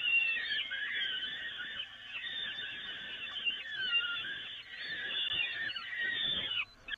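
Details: Nest grating feeding of peregrine falcons, Evoluon, 13 May 2018: long, unbroken hoarse screaming with small upward squeals scattered throughout, fading at the very end.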